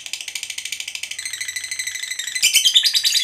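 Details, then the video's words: Lovebird, fighter type, delivering the long ngekek chatter used to stir other lovebirds to sing: a dense, rapid train of shrill buzzy notes, steady at first, then louder and harsher near the end. "Suara Burung Lovebird Ngekek Panjang, PANDAI Pancing EMOSI"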